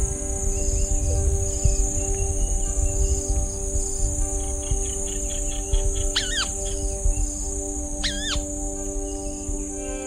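White-browed Crake: a quick run of soft chattering notes, then two loud, nasal, wavering calls about two seconds apart, over a steady high insect drone and low hum.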